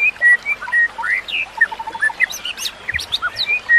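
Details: White-rumped shama song used as training material for other shamas: clear whistled notes near mid pitch, alternating steady whistles with rising and falling slurs and a few sharp high chirps, over a steady hiss like trickling water.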